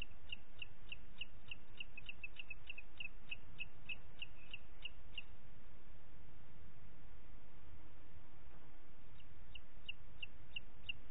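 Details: Booted eagle in Parc Natural dels Ports, recorded 27 June 2021 at 09:06: a quick run of short, high, clipped notes for about five seconds, a pause, then a shorter burst of the same notes over steady low background rumble.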